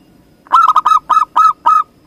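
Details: Local Zebra dove from Indonesia singing one loud cooing phrase: six quick stuttering notes, each dipping then levelling, the last ones longer and drawn out, over a quiet background.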